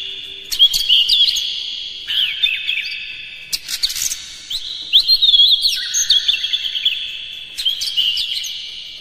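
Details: Kacer (Oriental magpie-robin) lure song meant to set other birds singing hard and spreading their tails: continuous energetic bursts of twittering, slurred whistles and sharp chips, roughly three or four notes a second.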